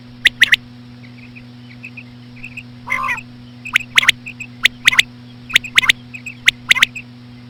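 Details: Common quail, slow female calling used to lure quail: sharp pulsed phrases, a single note then a quick double, roughly once a second, with soft pips and one buzzy harmonic call early on, over low hum.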